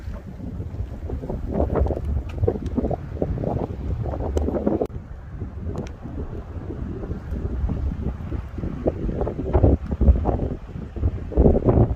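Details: Gusty wind buffets the microphone in low rumbling bursts, with no animal voices heard.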